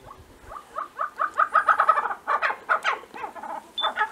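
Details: A feisty male Tibetan snowcock strutting around gives a run of quick, clucking mid-pitched notes, about four per second, loosening into a looser cackling series; no other sounds stand out.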